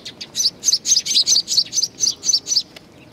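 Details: A steady, even series of about ten loud, high chirps from sparrows coming to be fed, Tenmangu shrine, Nakanoshima, 21 June 2020, ending in quiet.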